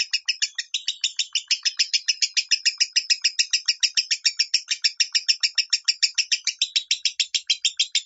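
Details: Minor-style song (suara minor) of a lovebird, recorded as training material: a long, rapid train of piercing, high chirps, about three to four per second, keeping up a steady rattle for the whole eight seconds.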